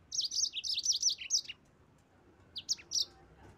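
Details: Yellow-fronted canary singing to provoke rival birds: a rapid, jumbled run of high twittering notes for about a second and a half, then a short pause and three more bright chirps.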